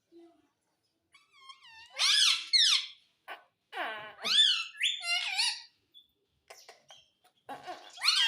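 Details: Pet Indian ringneck parakeet that talks, saying mummy and papa, produces a burst of rasping, harmonic squawks and chattering syllables, loud and irregular, with brief pauses and soft clicks between them.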